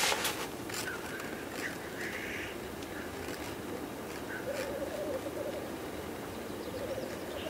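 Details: Lekking black grouse giving display calls: a short harsh hiss early on, with a faint, low bubbling coo that swells in the second half amid background rustle.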